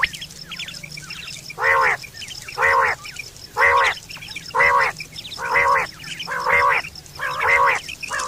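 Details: Quail call used for hunting and mating, recorded September 2023: a steady series of eight harsh, buzzy bursts, each about half a second long and repeated roughly once a second, over a faint high hiss.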